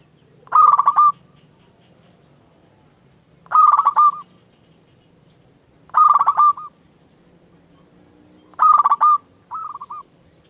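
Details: Local zebra dove song, used as a lure and to stimulate quiet doves into answering: four loud phrases about every 2.5 seconds, each a burst of rapid stuttered coos, the last followed by a short extra coo.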